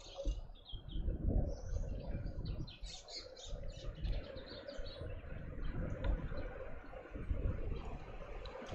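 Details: Red-billed woodhoopoe family group causing a commotion in a suburban garden in Pretoria, South Africa: bursts of rapid, high, scratchy chattering notes tumble together over a steady low rumble of background noise.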